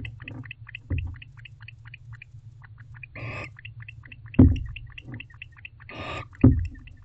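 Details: Barn owl male courting a female in a nest box on an August morning: soft, quick high chirps in a running series, broken by two louder rustling thumps and brief breathy noises, with a low hum throughout.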